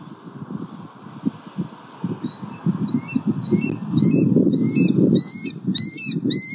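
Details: Wild bald eagle at its nest tree in Southwest Florida on 20 October 2019, calling very vocally during an afternoon squirrel delivery; a run of high, thin, chirping notes that speed up and grow louder, over rustling and low wind rumble.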